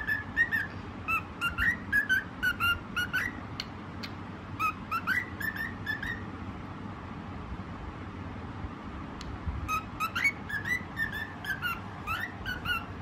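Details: White cockatiel singing: bursts of clear whistled notes with bright overtones, some rising and sliding, delivered in quick runs of about two per second with short pauses between phrases, over a steady low background hum.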